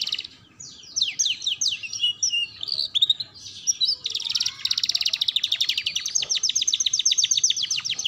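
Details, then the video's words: Canary tutor song for young canaries learning to sing: a continuous high chattering stream of fast buzzy trills and repeated sweeping notes, shifting into a steady rapid rattle in the second half. "Pancingan Kenari Belajar Bunyi"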